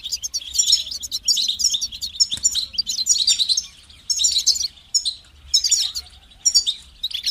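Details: Goldfinch song in several bursts of quick, bright twitters and buzzy trills, each phrase lasting about a second before a brief pause, then starting again; low background hum.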